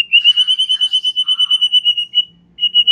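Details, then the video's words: White-rumped shama in relaxed chattering song meant to stir young birds into singing: a steady, high, rapidly pulsed whistle held for two seconds, a brief pause, then the same pulsing resumes. "Ocehan SANTAI Murai Batu"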